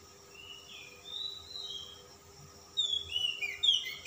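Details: Calm-type Oriental magpie-robin giving varied display song: soft drawn-out whistles rising and falling, a pause, then louder sweet slurred phrases and twitters delivered rapidly; constant background hum.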